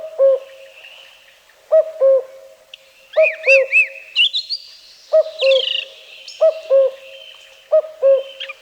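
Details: Common Cuckoo, Wielkopolski National Park forest, Poland, 1990: six low falling cu-coo pairs in steady rhythm, accompanied by a song thrush repeating ringing, slurred high phrases.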